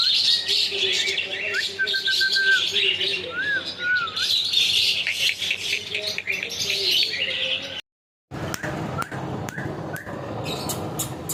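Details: Talking parrot whistling repeated upward slurs and steady held notes amid busy, bright chirping. Brief silence, then sharp clicks and faint chirps.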